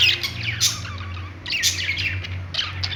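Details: Budgies singing on a perch: a busy stream of high, scratchy chirps and warbles running continuously, with a steady low hum underneath.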